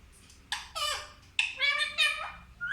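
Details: A pet parrot talking indoors in a small room: a string of squeaky, speech-like syllables in three bursts, bright and harmonic, with short pauses between phrases.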